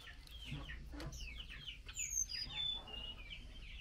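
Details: Female blue-winged minla calls to the male while getting mealworms, giving bursts of falling chirps; a few thin, high whistled notes from another bird sound in the middle.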